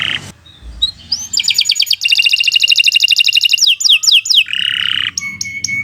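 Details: Canary in sustained song for tutoring young or silent birds: a buzzy opening, a long rapid trill of high pulsed notes, several falling whistles, then a buzzy low trill and thin steady tones.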